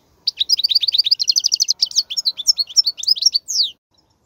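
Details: European goldfinch song used for teaching young goldfinches: a fast run of bright twittering notes, then a rapid buzzy trill and liquid chirps, ending in a clear descending whistle; no other sounds.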